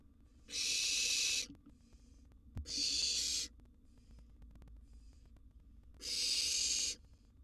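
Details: Wild barn owl nestling in a monitored nest box at mealtime with a sizeable gerbil: harsh, hissing broadband screeches about a second long, three bursts with quieter hiss between.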